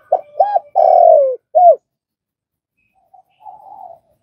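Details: One spotted dove phrase for training newly caught doves to coo: two quick hooked notes, a long coo sliding downward, a short final note, then a faint low murmur after a pause.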